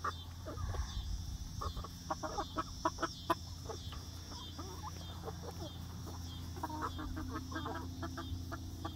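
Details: Young egg-laying hens enjoying a freshly built outdoor run on their first day, with scattered short clucks in irregular bursts, over a constant low hum and some thin high tones.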